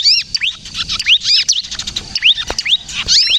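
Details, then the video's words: Kejepit-style song of a bar-winged prinia, known locally as ciblek kristal, meant as a lure and as a trigger for other prinias: quick, thin, sharply arched notes in fast bursts, high and bright, almost without pause. "suara burung ciblek kristal gacor, ciblek kejepit untuk pikat dan pancingan ciblek bahan agar bunyi"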